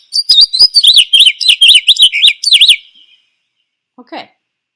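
House Finch song: a quick, jumbled warble of high, twisting notes, about two per second, running for three seconds before a brief faint sound follows.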